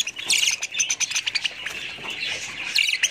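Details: Budgies chirping and squawking in quick bursts of short, bright notes, with a steadier warbling chatter in the middle.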